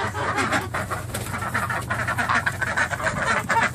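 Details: Geese in the morning, 2014: a steady chorus of overlapping nasal honks and cackles from a flock, continuous throughout with low background rumble.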